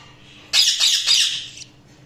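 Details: Budgerigar chirping indoors: a single dense burst of harsh, buzzy warbling chatter about a second long, rising abruptly from quiet and fading out, with no other clear sounds.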